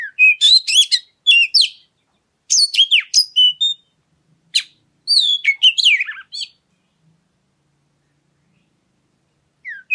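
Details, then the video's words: Oriental magpie-robin singing, a recording used to provoke other birds into song: bursts of rich, varied whistles and sharp chirps lasting about a second each, with frequent rapid pitch sweeps, separated by short silent pauses. "Pancingan Suara Kacer Segala Medan Dan Cuaca"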